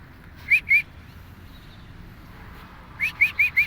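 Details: Two Alexandrine parakeets walking in a park give short, rising whistled calls: two near the start, then a quick run of four at the end, with quiet between.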